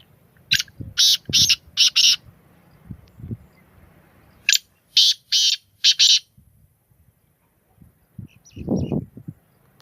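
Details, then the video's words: Black francolin giving two grating phrases of four harsh notes each, delivered rhythmically, then a brief low-pitched sound near the end. "Beautiful voice of black francolin Kalay Teetar Ki Awaz Kalay Teetar Ki Boli Sindhi teetar ki awaz"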